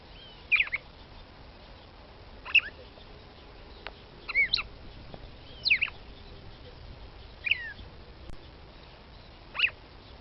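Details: Female red-cowled cardinal (Paroaria dominicana) in northeastern Brazil calling to stimulate the male: short, sharp, high chip-like notes, each a quick downward-slurred burst, given six times at roughly two-second intervals over a steady hiss.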